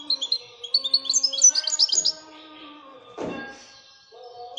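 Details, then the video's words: European goldfinch, known as royal goldfinch, twittering in quick bright chirps over steady low humming tones like music, with a dull knock partway through. "Le twitter et chardonneret royalتغريد طائر الحسون الملكي"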